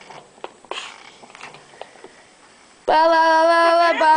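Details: Yellow-naped amazon parrot, a female family pet in her cage, gives a loud, drawn-out, voice-like utterance at mid pitch after a few quiet seconds of faint clicks and room sounds.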